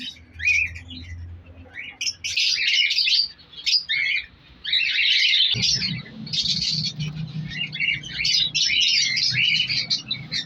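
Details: An aviary colony of African lovebirds, including Fisher's and lutino birds, breeding in clay pots through winter. Shrill overlapping chirps and squawks come in long busy bursts with a short pause, over a low background hum.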